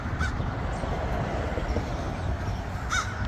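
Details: A crow calling on 15th Avenue in Langley Park, in trees by the street: two short, harsh caws, one just after the start and one near the end, over a steady low rumble.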